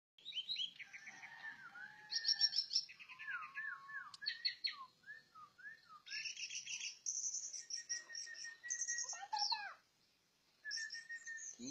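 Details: Orange-headed thrush singing a varied, rambling song of clear whistled phrases, trills and rapid high twittering runs. Notes shift quickly between low slurred whistles and sharp high bursts, with a short pause before the song resumes.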